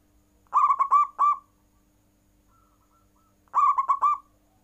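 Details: Full "nggayer" cooing from a zebra dove, a style that sets rival doves calling. Two phrases of quick, throaty rolled coos, the last note drawn out, separated by three seconds of quiet.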